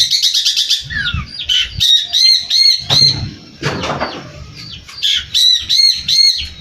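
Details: Long-tailed shrike singing actively with a song full of mimicked fillers: a fast, varied run of high chirps, sharp notes and short trills, some sliding downward, delivered in bursts with brief gaps, with faint low rumbling beneath.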